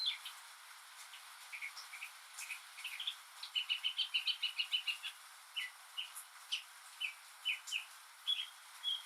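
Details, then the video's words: Male northern mockingbird singing alone on a rainy day, mimicking other birds: a scattered start, then a fast evenly repeated chattering series, followed by spaced doubled chirps, over rain-like hiss. "マネシツグミの「雨に唄えば」Mockingbird's "Singin' in the Rain"!"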